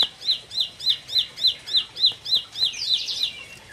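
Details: Bright, regularly paced high chirps from a four-month-old bar-winged prinia, called more of a fighter, run for about ten notes before dissolving into a louder jumbled trill at the end.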